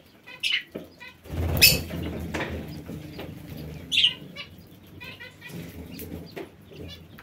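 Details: Aviary parakeets calling with sharp, rasping chirps that come irregularly, a few strong notes standing out among softer chatter. Flapping wings and low background rumble are also heard.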